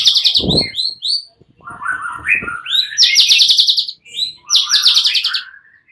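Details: Fighter white-rumped shamas, nearly all joining in, answer each other excitedly. Bright whistles alternate with fast, rattling high trills in repeated bursts, with a low thump near the start.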